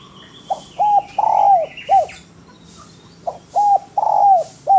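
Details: Spotted dove (derkuku) in lively, prolific song, offered as a clean master recording for training birds: low, mellow coos in a phrase of a short note, a long drawn swelling coo and a short note, repeated after a pause. Faint higher chirps behind.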